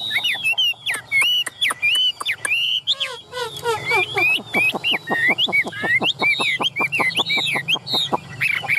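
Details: Caged Chinese hwamei for sale in Vietnam sings loud varied whistled phrases that break into a long run of rapid clipped notes, with a low hum underneath.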